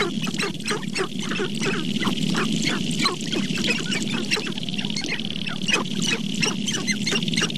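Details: Group of sharp-tailed grouse in the Namekagon Barrens of northern Wisconsin, a continuous busy chorus of rapid clucks, chattering cackles and squawky notes stacked over a low cooing drone, lasting several seconds.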